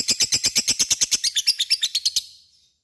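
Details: Lovebird ngekek, a call to provoke other lovebirds: about fifteen quick, harsh, high chirps in a row, fading out after two seconds into silence.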